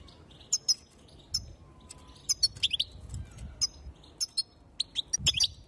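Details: Calls of a female European goldfinch meant to excite males: crisp high chirps and short twittery doublets in loose groups, a tighter flurry near the end, with quiet low background noise.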